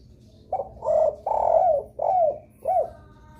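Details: Spotted dove lure call that other doves respond to: a brief note, two rough coos, a falling slurred coo and a short final arched note, evenly paced over a low hum.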